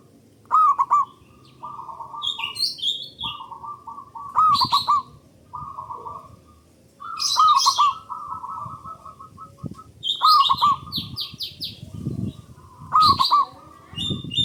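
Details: Local zebra dove singing loud, long phrases used as a lure to stimulate other doves to sing: rapid pulsed cooing series in a steady mid pitch, repeated every few seconds, with sharp chirps and whistles of other birds overhead.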